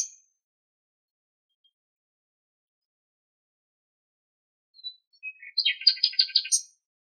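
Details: Common nightingale singing in Greek nature: after a long quiet pause, one short phrase of a few soft lead-in notes, then a rapid run of about a dozen high, rattling repeated notes.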